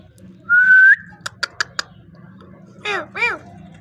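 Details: Parrot voice: a steady rising whistle, a few sharp clicks, then two short harmonic arched calls near the end, indoors.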